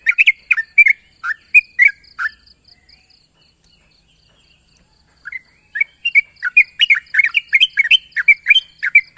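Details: Sooty-headed bulbul calling to challenge a rival: bursts of short chirpy, slurred notes around mid-high pitch, a silent gap of about three seconds, then rapid repeated chirps; steady high hiss throughout.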